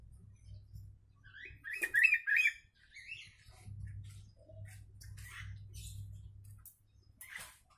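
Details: Song of a sooty-headed bulbul stuffed with Javan myna imitation, used to tutor kept mynas and bulbuls: a loud, rapid burst of scratchy, twittering notes for under a second, followed by sparse quieter chips and a steady background hum.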